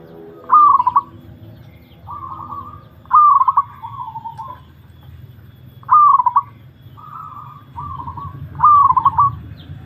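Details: Zebra dove (perkutut) song during a mental test: four rhythmic phrases about every 2.7 seconds, each opening with a sharp rolling trill, separated by mellow short coos. A low droning hum runs underneath.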